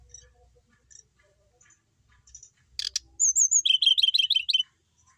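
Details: Brown-chested jungle flycatcher from Bali, a settled caged bird singing steadily: after faint scattered notes, a sharp burst, then a high wavering whistle and a rapid run of bright, jumbled chirping phrases lasting about a second and a half.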